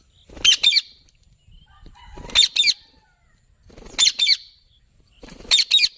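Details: Ringneck parrot giving short, sharp double screeches, very high and rasping. Each pair repeats roughly every one and a half seconds, four times in all, with faint low rustling between them.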